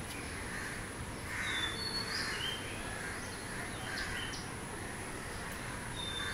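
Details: A rain-drenched Common Myna in Mumbai gives harsh, scratchy calls mixed with brief high whistles, under a steady hiss that sounds like rain.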